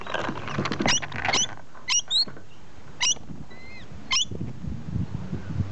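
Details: In a tree, rainbow lorikeets utter scratchy, strident shrieks, spaced about a second apart, with a couple of thin clear whistled notes slipped between them and mixed rustling and low noise behind.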